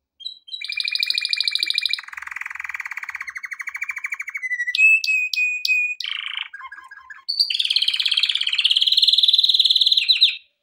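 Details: Training song of a male canary: a long sequence of rapid trills at changing pitches, buzzy rolls, a few sharp high pips, ending in a loud bright rolling trill.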